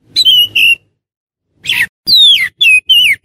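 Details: Oriental magpie-robin sound for luring wild magpie-robins: two clear whistles, a long pause, then a harsh burst and several downslurred whistled notes.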